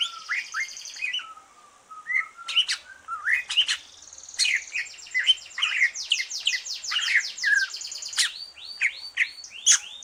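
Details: Green leafbird after moulting, in full, lively song used to stimulate other birds: a long varied stream of sweeping whistles, rapid rising buzzy trills, sharp high clicks and repeated upward slurred notes, continuous for ten seconds.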